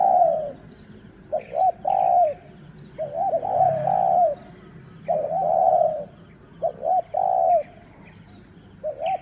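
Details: Decoy spotted dove kept for luring wild birds, the sixth one caught. It repeats cooing phrases every one to two seconds, each a quick double note then a sustained warbled coo, with faint distant chirps.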